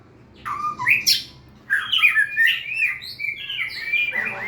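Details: White-rumped shama singing two bursts of bright whistles and chirps, the second a longer run of varied warbled notes.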